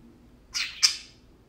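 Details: Tame parakeets at play give a loud, scratchy two-part squawk. The second burst is sharper than the first, then the sound falls away into near silence.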